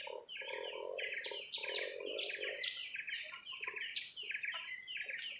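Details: Young lesser green leafbirds in a long fight: rapid, scratchy chirping notes given about four per second, with brief, sharp upward flicks. A lower, buzzy warble is heard through the first half.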